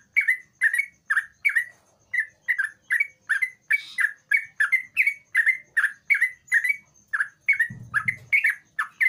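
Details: Sooty-headed bulbul singing vigorously, a recording used to lure a quiet bulbul into singing; short bright chirping notes repeated about twice a second in a steady run, with a brief low thump near the end.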